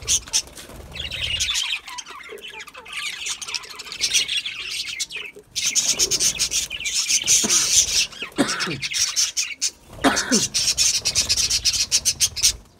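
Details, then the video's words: Budgies eating a seed mix give dense, buzzy chirps and short squawks in bursts separated by brief pauses, mixed with rasping, crackling husking noise as seeds are cracked. "Budgies eating seed mix foods"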